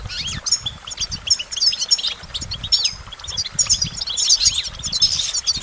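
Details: Goldfinch singing: a rapid, high tinkling twitter of bright chirps, short trills and quick upward-flicked notes in dense bursts, with faint low rumbling underneath.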